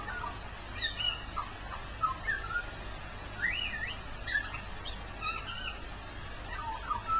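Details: Magpie singing in the rain on Christmas Day: a run of warbled, slurred whistles that jump and bend between notes in short phrases, over a steady hiss of rainfall.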